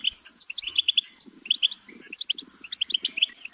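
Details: Clearer goldfinch singing of separate high chirps and short twittered notes in quick succession, joined by a soft, low buzzy rattle in the background.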